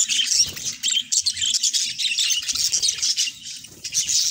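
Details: Two companion budgerigars singing and talking together; bright, fast chattering warble of twittering and scratchy notes runs throughout, pulsing in short bursts, with light low knocks underneath.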